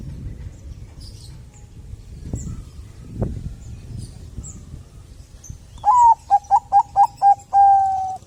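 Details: Zebra dove of the Bangkok type, singing to prompt other doves to sing: after quiet background hiss and faint chirps, a quick series of six clipped, hooting coos ends in one long, even note.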